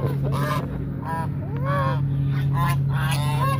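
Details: Hungry geese at Mueller Lake park in Austin, Texas, approaching people, give a run of nasal, rising-and-falling honks several times a second over a steady low hum.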